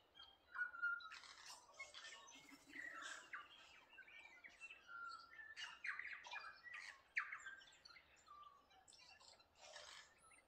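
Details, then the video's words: Several birds singing together at Waikawa, with rapid, irregular chirps and clipped whistles about three or four per second, plus a few sustained whistled tones woven through the chorus. "Waikawa Bird Song"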